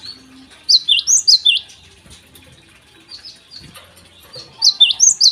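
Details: Java sparrow singing energetically in the morning, used as a lure to prompt untrained Java sparrows to sing: two bursts of rapid, high chirping notes, each run of five or six chips, separated by a quiet pause.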